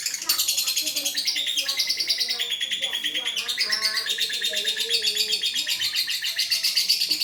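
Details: Lovebird masteran training recording for song tutoring: dense, continuous high-pitched chirping and twittering with rapid buzzy trills and sharp squeaks, pulsing steadily throughout, with softer lower tonal notes underneath.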